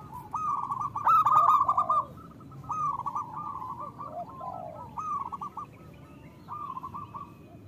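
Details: Local zebra dove song meant to spur lazy captive doves to sing: several trilled coo phrases of varying loudness with low curving notes between them, fading toward the end.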